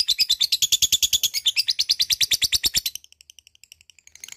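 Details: Lovebird ngekek trill, used as a prompt to get lazy lovebirds singing: a long loud rattling chatter of sharp high notes about eight per second for three seconds, then fainter softer chips.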